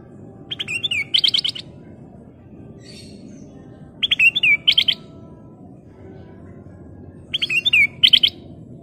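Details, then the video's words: Black-crested bulbul (kutilang emas) singing steadily: short bursts of clear, bouncy whistled notes with quick slurred inflections, repeated roughly every three seconds over a constant low hum. "Kicau Burung Burung Kutilang Emas Gacor full isian"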